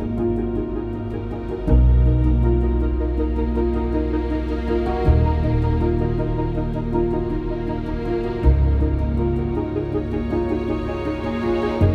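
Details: Soft, slow ambient music with sustained low chords shifting every few seconds, and no animal sounds.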